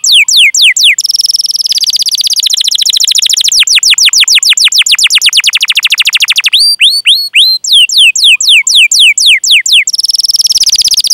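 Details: Long canary song used to encourage young or silent canaries to sing: strings of curving down-slurred whistles, extended rapid rolls, a few higher whistles, and another fast trill, with no pause.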